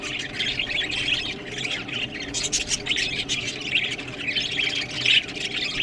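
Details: Budgerigars eating green food: a dense, continuous warbling chatter of rapid squawks and chirps, steady throughout with a few brighter sharp notes near the end.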